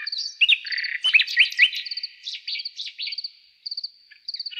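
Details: Nightingale in a night forest delivering a dense burst of song: quick slurred whistles sweeping up and down, chattering notes and short trills, with a high cricket-like chirp repeating in the background.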